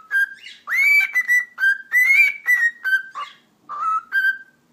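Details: Whistling from a talking pet cockatiel: a lively tune of pure, ringing whistles, several long held notes rising slightly, alternating with lower short phrases, in a quiet room.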